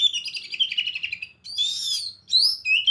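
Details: Oriental magpie-robin in varied ngekek song, opening with a fast rattling chatter, then loud rich whistled slurs and rising and falling notes in quick succession.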